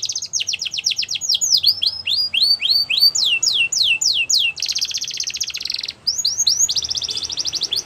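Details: Canary song used for training: fast series of rising whistled notes repeated about three to four times a second, broken by two long buzzy trills, all high-pitched and loud.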